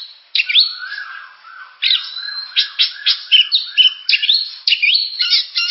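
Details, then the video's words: Oriental magpie-robin song made of loud, abrupt whistled notes and brief phrases, each opening sharply, with softer lower warbled notes beneath and a crisp series of repeated syllables in the middle. "Suara burung kacer"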